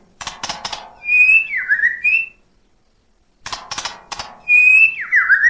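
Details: Murai batu (white-rumped shama) full song for stirring quiet birds: twice, a few dry clicks lead into clear whistled notes that slide downward, separated by about a second of silence.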